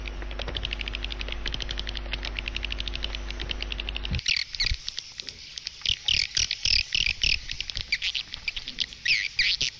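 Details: Edible-nest swiftlet lure sound used to draw birds into a nesting house: a fast, even stream of tiny clicking chirps over a deep hum, then the track switches to spaced bursts of shrill twittering.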